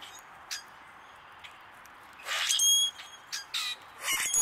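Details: A male common grackle calling while feeding gives harsh, raspy squawks and a high, squeaky whistle, in a few short bursts over a soft background hiss.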